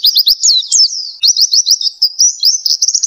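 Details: Oriental white-eye in the fast nglas song style used as a training recording for songbirds: a rapid, high-pitched stream of thin upslurred chips and brief twittering flourishes, steady and dense throughout.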